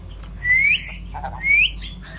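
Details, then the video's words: Indian ringneck parrot kept as a talking pet, giving two clear rising whistles, each sweeping upward and ending abruptly, about one second apart, with brief softer chatter between them in a quiet room. "অসাধারণ কথা বলে চন্দনা টিয়া"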